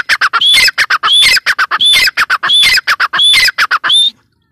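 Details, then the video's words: Female grey francolin calling: a loud, rapid series of harsh, high squawking notes, each phrase opening with a thin whistled note and followed by clipped chattering bursts, phrases repeating about every 0.8 seconds before ending abruptly. "gray francolin teetar awaz | female teetar awaz"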